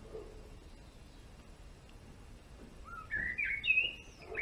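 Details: A male European greenfinch stays quiet at first, then bursts into a short run of rising whistles and fast twittered notes near the end.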